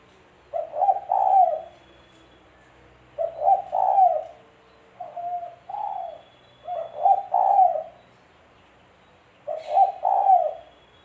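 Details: Spotted dove (tekukur) calling as a lure for bird trapping; repeated low coos, about every three seconds, each phrase a stuttered double note and a long hoarse ending, with a few shorter single coos mixed in.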